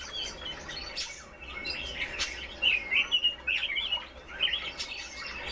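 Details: Red-billed leiothrix (Leiothrix lutea), song.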